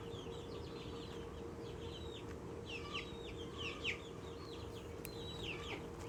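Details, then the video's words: Excited little Australorp chicken chirping happily, with clear high peeps that slide down in pitch, coming in short bursts of two or three, against a faint steady hum. "Excited little Australorp makes happy sounds"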